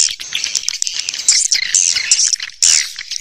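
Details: Swiftlet calls used as a hi-fi lure for outdoor and indoor speakers; high, thin twittering and short squeaky chirps come in uneven bursts, with brief quieter gaps and a sudden louder burst near the end.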